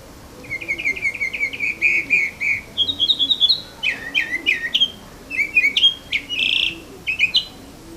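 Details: Bird singing in the morning: a quick series of short repeated chirps, then a higher trill and several sharp slurred whistled notes, over a faint steady background hiss.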